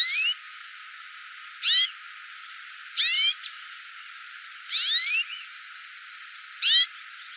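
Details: Hooded siskin calling: five short, high, twittering bursts of quick sweeping notes, spaced one to two seconds apart, over a quiet background.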